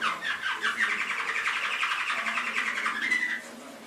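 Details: Canary singing in an Indonesian training (masteran) recording: a fast, rattling trill of tightly packed notes sustained for over three seconds, ending in a brief whistled slur before falling quiet.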